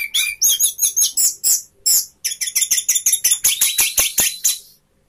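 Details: A caged orange-headed thrush spreading its tail sings a fast run of high, sharp chattering notes, about five per second, in three bursts with brief pauses between.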